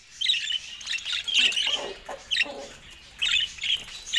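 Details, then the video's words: Pet budgie calls: bursts of high, squeaky chirping and scratchy warbled notes, with short lower squawks between the livelier phrases. "Top Cute Budgie Love Vibes with Funny Sweet Sounds"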